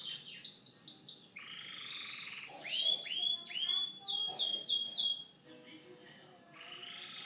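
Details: Canary singing a varied song of rapid high trills, buzzy rolls and repeated downward-sweeping whistles, changing tour every second or two.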